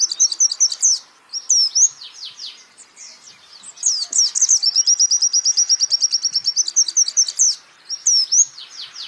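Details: Lively white-eye song from a champion bird used to train songbirds: clusters of bright, twisting whistles, short pauses, then a long rattling trill of piercing high chips, finishing with more slurred whistled notes.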